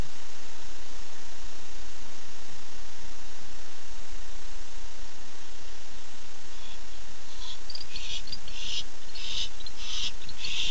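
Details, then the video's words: At night on 8 September 2015, a male barn owl calls for his mate. Nearly eight seconds of quiet hum, then a late series of short, breathy, hissing screeches repeated rapidly toward the end. "Casper showed up at 9:54 pm and called for Dottie 9-8-15"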